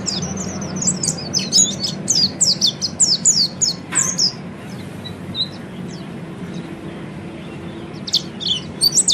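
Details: Peleci (Oriental white-eye) singing ngeriwik, to help other birds quickly ngeriwik and ngepelong; rapid series of thin, high chips and slurred whistles for four seconds, a pause with faint notes, then another quick burst.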